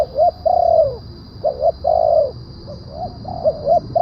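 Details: Spotted dove lure call in the deep-voiced kuk 1 style, used to draw wild doves down: repeated hollow coos, short double notes followed by a longer drawn-out coo, repeating roughly every one and a half seconds over faint background hiss.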